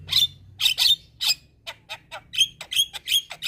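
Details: Lure for all kinds of starlings, including jalak kebo, jalak putih and jalak Nias: loud harsh squawking notes alternating with sharp high whistled chips in an uneven chattering rhythm.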